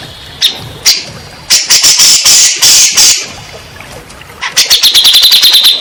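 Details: Grey-cheeked bulbul song used as a lure to get stressed or silent caged birds to sing: loud, harsh, high-pitched chattering bursts, then a fast run of about a dozen sharp repeated notes at the end.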